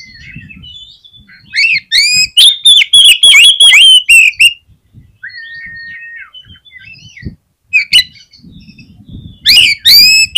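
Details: Oriental magpie-robin song used as a lure to provoke other birds into singing: loud whistled phrases with sharp rising and falling notes and harsh upsweeps, in bursts separated by quieter twittering and short pauses.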